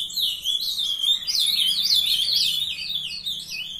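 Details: Several young captive Ultramarine grosbeaks warbling loudly: a tight tangle of rapid, sliding high notes with no pauses.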